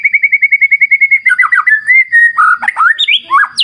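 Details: White-rumped shama singing over a wild clear-river nature backdrop: a fast series of about fourteen identical clipped notes, then a flowing run of varied liquid whistles, slurs and sharp upward flicks.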